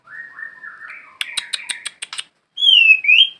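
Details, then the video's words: White-rumped shama, known locally as murai batu, from Indonesia: a drawn-out wavering whistle, then a burst of sharp rapid notes, ending with two clear slurred whistles. "murai batu panutan"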